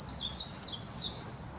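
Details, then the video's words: Short burst of Warbling white-eye song from Hashimoto, Wakayama Prefecture, Japan, 26 June 2021, Nikon Coolpix P900: four or five high, thin, slurred notes, some falling steeply, in a brief warbling phrase before it trails off. "メジロ さえずり 姿 鳴き声 warbling white-eye song"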